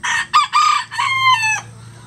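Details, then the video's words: A rooster from a farm flock of at least 20 standard-size and bantam chickens gives a quick cock-a-doodle-doo: short choppy opening syllables, then a sustained, gently falling final note, all within about a second and a half. "20 Roosters Crowing For 20 Minutes"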